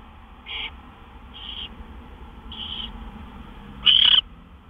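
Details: Owl at a nest just after midnight on March 26, 2013, during gopher deliveries; three faint, breathy hissing bursts spaced about a second apart, then one loud, harsh rasping screech near the end.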